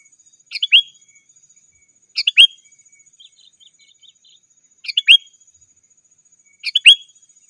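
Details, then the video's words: Sooty-headed bulbul calling to rivals, a lure for wild birds and tutor for caged birds: four bubbly phrases of quick chirps ending in an upslurred whistle, spaced about two seconds apart, with faint soft twittering between. "Suara Burung KUTILANG GACOR 100% Ampun Untuk Suara Panggilan dan Masteran"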